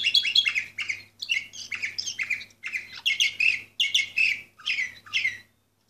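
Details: Orpheus canary, bird number 24 from 2014, singing in short bursts of rich, chattering notes separated by brief pauses, each burst about half a second long, with a steady low electrical hum in the background.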